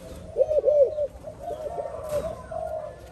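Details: Spotted dove, a newly caught bird cooing beside an older decoy; a brief pair of arched coos followed by softer, flatter low cooing with a faint noise burst.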